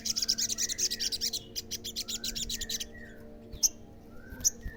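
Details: Olive-backed sunbird song played to provoke other sunbirds into answering: a rapid burst of very high, sharp notes for nearly two seconds, then scattered clicks and chips, with soft lower whistles from other birds behind.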